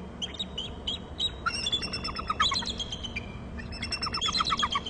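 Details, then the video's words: Bald eagle calls at a nest and territory on Hornby Island, as one eagle flies in; high, thin chittering notes in quick descending strings, several bouts overlapping, over a steady rushing background noise. "eagle to ulb bst and calls from gregg's"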